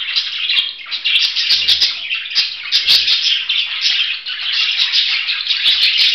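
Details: Budgerigar warbling steadily in a rough, rattling chatter with squeaky notes mixed in, plus occasional sharp clicks and soft low knocks.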